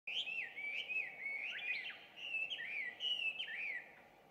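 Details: An introduced Chinese hwamei sings loudly at 5:30 am on 2 June 2019, as it does each morning and around 17:30, with a rich run of slurred whistles and quick warbled phrases rising and falling without pause, over a steady low hum.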